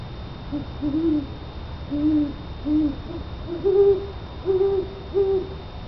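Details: Great horned owls outside a house exchanging calls; low muffled hoots at two slightly different pitches, a few lower notes followed by higher ones, roughly one per second, against constant low rumble.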